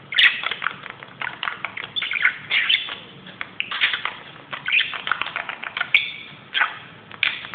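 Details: Excited budgie on a closet keeps up a steady, scratchy chatter of quick chirps, squeaks and harsh buzzy notes, with brief louder bursts throughout.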